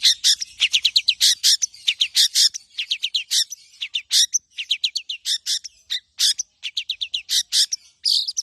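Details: Tame, champion long-tailed shrike in full song, packed with mimicked phrases for prompting and tutoring other birds: rapid runs of sharp, high chirps and downslurred notes in quick bursts, almost continuous, with brief gaps.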